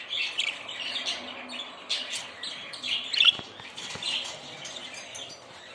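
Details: Budgerigars chattering together in a dense, continuous warble of high chirps and short squeaks, with one brighter sharp note standing out near the middle.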